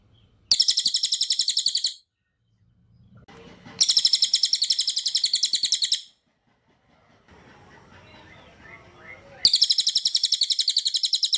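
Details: Cililin song meant as a training recording for other birds: three bursts of rapid, harsh, evenly pulsed chattering trills, each about one and a half seconds long. Faint softer twitters sound between the bursts.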